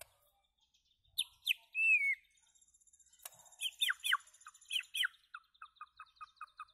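A white-rumped shama sings loud, varied phrases: clear whistles, sharp chirps, a rising slur, then a fast run of repeated notes.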